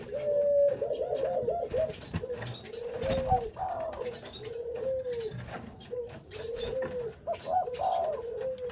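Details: Barbary dove used as a lure bird, cooing in a quick run of short, arched, rolling notes repeated several times a second, with a brief louder tremulous phrase at the start and light background clatter.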